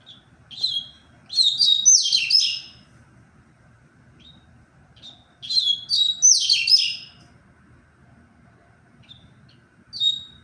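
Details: Double-collared seedeater singing, recorded on 23 February: two dense bursts of high, rapid, twittering and whistled notes, each about two seconds long and several seconds apart, with a few soft single chips between them. Faint low background hum.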